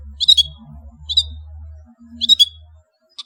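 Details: Lanius schach, the long-tailed shrike or cendet, giving brief sharp chirps with whistled tails about once a second over a faint low hum.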